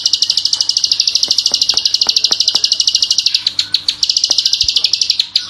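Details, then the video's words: Klik-klik bird singing energetically in full bursts: a rapid, dense, high-pitched chattering trill, steady at first, then breaking into short choppy phrases near the end, with scattered low clicks below. "masteran burung klik klik gacor || full tembakan ngebren"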